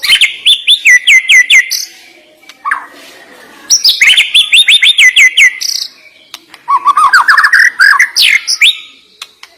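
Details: White-rumped shama (murai batu) in sharp, varied song to stimulate other birds; fast repeated whistled notes in bursts of about two seconds, chirps and downslurred trills, short gaps between phrases.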